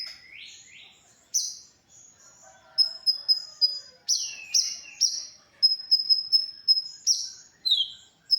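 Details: Original konin song for masteran, used to teach other cage songbirds: a quiet rising pair of sweeps opens, then loud high whistled notes, quick repeated pips and falling slurs follow in lively clusters.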